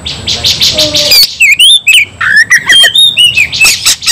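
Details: Fighting white-rumped shama, loud varied song: a fast chirping run, then clear whistled phrases rising and falling, slurred notes and sharp clicks in bursts, with a faint steady high tone in the background.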